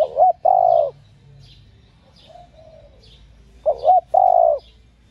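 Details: Female spotted dove cooing to excite captive males. A two-note lead-in and a long mellow hoot are followed by a quiet trailing coo, then the full phrase returns about three and a half seconds later.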